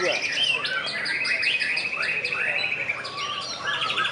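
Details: Singing-contest shama in Pekalongan, main-class competition: bright rising and falling whistled notes with quick trills and slurred phrases, bird voices clearly dominant, several singers overlapping.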